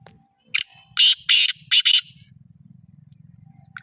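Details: Single harsh phrase from a black francolin in Pakistan: a short lead note, then four loud rasping notes in quick succession, fading into a soft low rumbling hum.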